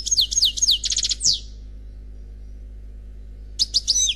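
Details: Unpaired European goldfinch singing Khalwi style: looping, high, swooping notes, a fast buzzy rattle and a final downslur, then after a pause more swooping twitters.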